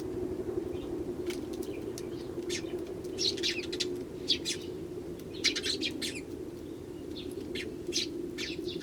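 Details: Wild Eurasian tree sparrows in early January, many arriving, one starling among them. Irregular bursts of chirps and short twittering runs, moderately loud, set against a constant low mechanical hum.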